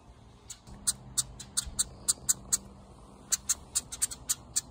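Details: Hungry house wren nestlings from a birdhouse, rescued after their mother disappeared; sharp, very high ticking chirps in irregular runs, some doubled, over low background hiss.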